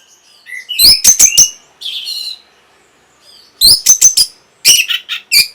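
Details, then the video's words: Song of an orange-headed thrush, used to trigger breeding arousal and a response: three short clusters of sharp, piercing high notes, each a quick run of four or five strokes, separated by softer twittering and pauses. "NYANYIAN BURUNG PUNGLOR PEMBANGKIT BIRAHI AGAR KENCENG YANG PASTI 100% BAKAL NYAUT"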